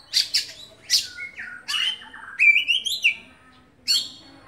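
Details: Caged contest oriental magpie-robin in full song: loud harsh rasps, a sliding whistled note, then a quick run of high rising, trilled notes before a final harsh burst.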